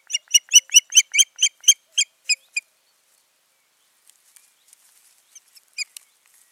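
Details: Osprey pair at their nest in Finland, 14 June 2019, the season's nesting having failed; a loud run of about a dozen rapid, evenly spaced high piping whistles, then a quiet gap and a few fainter notes.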